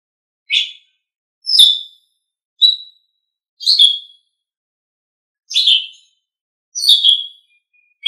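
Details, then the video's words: Asian pied starling training song as a series of short, emphatic whistled and squeaky notes, each about half a second long, repeated roughly every second with silent gaps. "Masteran Terbaik Jalak Suren"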